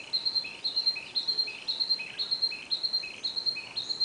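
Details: Long song of a Narcissus flycatcher, a steady run of high whistled two-part phrases, each a bright steady note followed by a lower slurred one, repeated roughly twice a second without pause.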